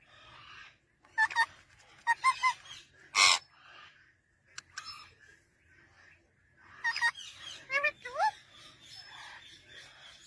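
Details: Parrot with its baby: scattered short harsh squawks and chattering notes, some rising whistled slurs, in brief bursts separated by quiet pauses.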